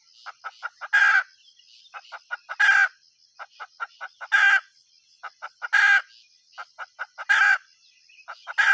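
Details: Hen calling with loud, harsh, broad squawks roughly every one and a half seconds, each preceded by a run of short, sharp clucks; a steady high-pitched whine runs underneath throughout.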